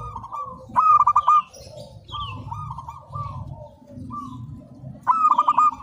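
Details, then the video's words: Zebra dove of local stock singing as a training master: loud stuttered coo phrases of four or five clipped notes, separated by softer flowing coos, with a brief high chirp and low background rumble. "Perkutut Lokal Gacor, Masteran Anti Gagal"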